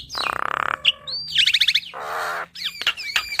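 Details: Javan myna song from a training recording for caged mynas: a grating rattle, clear rising whistles, a trilled run of bright notes, a rough nasal buzz, then thin whistled slurs.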